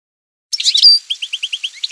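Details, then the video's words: European goldfinch singing in the campero song style: after a half-second of silence, a short burst of high twittering, then a quick run of about eight evenly repeated chirpy notes. "El Jilguero 7"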